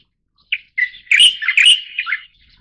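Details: Leucistic Light-vented bulbul (Pycnonotus sinensis formosae) gives a quick, chattering run of liquid, slurred notes lasting under two seconds, with bright rising and falling inflections against a quiet background.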